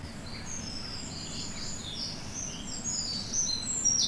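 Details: Two Eurasian wrens sing a duet in a British woodland in January, trading loud, high, rapid trills and sharp phrases. A blue tit sings too, over a steady low rumble.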